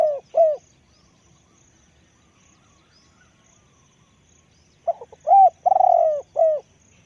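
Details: Spotted dove calling, a decoy bird with a deep voice: two short hollow coos, a gap, then a phrase of quick soft notes, a long purring coo falling in pitch and a final falling coo.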